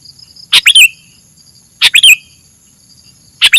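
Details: Sooty-headed bulbul singing on a masteran training recording: three short loud chirpy bursts, each a sharp onset dropping into a brief slurred note, about a second and a half apart, over steady high thin tones in the background.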